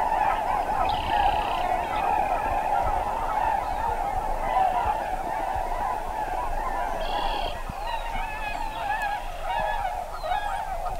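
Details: Massed tundra swans at a Wisconsin wetland on spring migration make a steady wall of overlapping honking and hooting, with brief louder nasal honks and occasional high whistled notes over the chorus.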